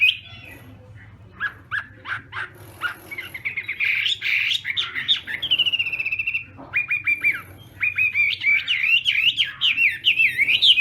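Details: Chinese hwamei singing in a contest as part of morning voice training: a few sharp separate notes, then dense warbling and repeated whistled phrases growing louder, with quick chattering bursts.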